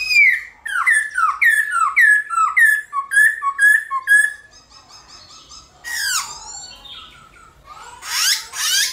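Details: Black-throated laughingthrush in fighting song for morning playback to rouse other laughingthrushes; about a dozen rapid whistled downslurs in a steady run, then quiet chatter and several loud sweeping harsh notes.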